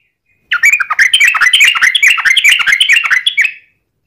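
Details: Sooty-headed bulbul long rolling song used as a lure to make other bulbuls sing, a dense burst of rapid chattering notes around the upper-middle range lasting about three seconds.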